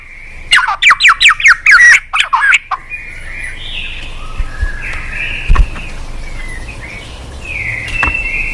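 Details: White-rumped shama recording used to stimulate a reluctant bird: a fast burst of about ten loud staccato chattering notes, followed by faint distant whistled phrases and light background noise.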